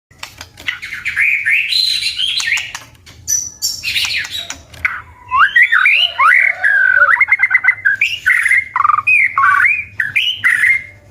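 A white-rumped shama sings a rich, varied run of fluty whistles and slurred phrases, broken by sharp clicking notes in quick series.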